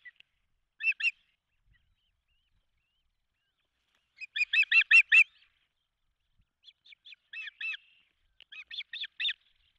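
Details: Osprey at a nest in Charlo, Montana, on 16 June 2024, as the male arrives with a large fish and the female feeds three chicks; loud, high, sharp chirps in quick bursts near the start, middle and end, over a quiet background.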